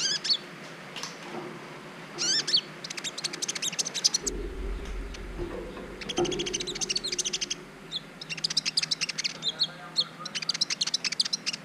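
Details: Brown-throated sunbird, kept as a training recording meant to stir other birds' mating urge, giving bursts of high, sharp chirps and twitters in clusters, broken by a lull with a low rumble around four to seven seconds.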